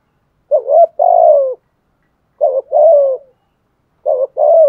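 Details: Decoy spotted dove cooing thúc gù style, three matching phrases about every 1.7 seconds, each a short choppy lead-in followed by a long, slowly falling coo.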